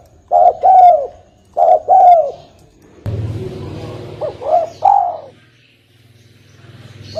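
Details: Lure call of a spotted dove, known locally as tekukur, played for bird trapping. Two clear coo-coo-croo phrases, then a burst of broadband rumbling noise and a partial phrase of short coos and a falling note.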